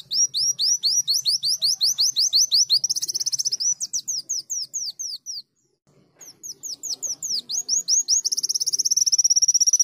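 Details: Leafbird in full canary-imitating song: long series of high, clipped, down-slurred whistles, shifting into a dense rattling trill, a brief silent pause, then more slurred notes ending in a fast buzzing trill.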